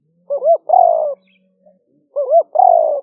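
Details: Spotted dove giving its liu fueang lure call, recorded live near Nong Khu Phai, Roi Et, Thailand, rainy season 2021; two identical phrases, each a bouncing double coo followed by a long rough croo sliding downward.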